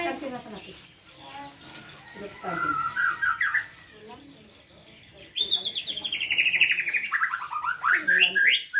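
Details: White-rumped shama with 'pastol' style song, meant as tutor material for young birds: mixed chattering and speech-like notes at first, then a loud run of rapid high whistled notes that tumble down in pitch.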